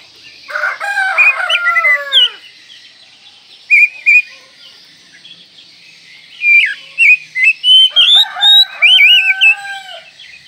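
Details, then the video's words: Oriental magpie-robin (kacer) on a masteran tutor recording, said to be for morning, midday and night: loud clear whistled phrases, rising and falling slurs and sharp upslurred notes in bursts, with short pauses between phrases. "Masteran Kacer Manjur Pagi Siang Malam Terbukti Ampuh"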